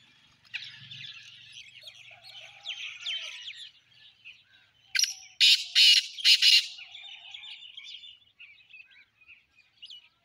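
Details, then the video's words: Recorded 29 January 2024, a black francolin gives a loud grating call of about four harsh notes midway, preceded by scattered twittering of other small birds and a brief low hum. "voice titar sultan"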